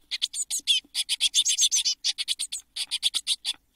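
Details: Eurasian blue tit chicks, a brood of seven, in a nest box in June 2022 shortly before all fledged: dense rapid bursts of harsh, buzzy high chirps, about four per second, in clustered runs with short gaps.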